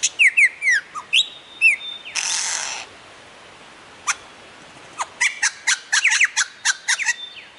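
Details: A lyrebird, the mimicking bird, gives fast descending whistles and a rising swoop, then a hissing rush of noise, a pause, and a rapid rhythmic series of sharp clicking notes.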